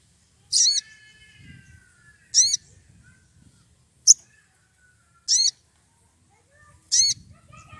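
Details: Excited wild Sogon calling for an opponent: short harsh, stacked high notes repeated about every one and a half seconds, with one thinner sharp chip in the middle and soft whistles of other birds behind.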